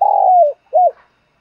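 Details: Morning call of a decoy spotted dove: a long, low, gently falling coo followed by one short arched coo.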